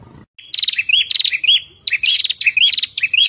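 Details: Prinia song from female and male birds: bursts of sharp, high chirps and buzzy trills, repeated in quick phrases roughly every half second, with a thin sustained whistle underneath.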